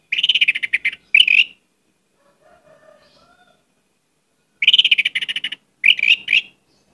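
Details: Orange-headed thrush in varied song, used as a lure to start other birds singing: harsh, rapid chattering bursts with broad rasping notes, separated by a pause with faint soft warbles in the background.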